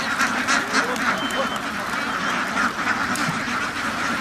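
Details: Many ducks on a farm quacking rapidly and irregularly, about three calls per second standing out from a constant background chorus.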